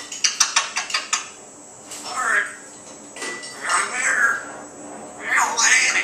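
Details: Griffin, a one-year-old African grey parrot, talks in short, speech-like phrases with human-sounding vowels after a quick run of sharp tapping or clattering. Dogs bark in the background. Recorded on 13 August 2012.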